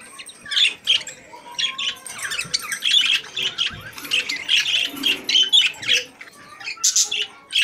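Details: Several budgies warble in a cage, a continuous run of quick chirps, squeaks and buzzy twitters, high and tightly packed, with brief clear whistled notes scattered through and a soft lower murmur beneath.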